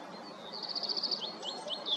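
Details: Black redstart singing: a quick, dry, rattling run of high notes followed by a few short, sharp, slightly scratchy notes, over a faint background hiss.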